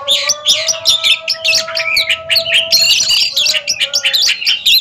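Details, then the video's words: Song contest between Oriental magpie-robins: fast, tightly packed sequences of sharp chirps and whistled notes in quick pulses, accompanied by a steady low drone. "DUEL MAHAKARYA || KACER RING"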